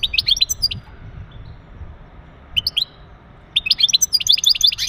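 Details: European goldfinch male with mating calls to prepare the hen for breeding: short bursts of high, metallic twittering notes, a brief gap, then a longer rapid run of chirping phrases.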